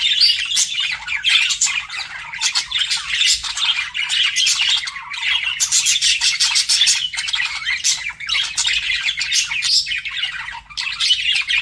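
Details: Budgies flirting: rapid scratchy chatter packed with clicks, squawks and high chirps, steady and unbroken for over ten seconds.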